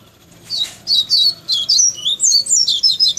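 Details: Tawny-bellied seedeater singing a loud, rapid series of high, sweeping chirps, about three a second, each note slurring up and down in a lively warbled chain, with little background sound.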